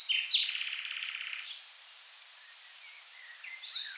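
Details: Common nightingale in the Rhine wetlands of south Germany giving a fast, rattling trill of rapid notes lasting over a second, then faint distant high notes.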